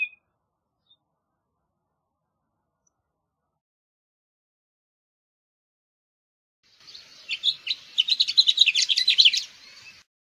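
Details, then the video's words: A House Finch sings a rapid, jumbled warble of high twittering notes after a long silence, ending in a few buzzy slurs. "House Finch Song! House Finch Call! House Finch Sound!"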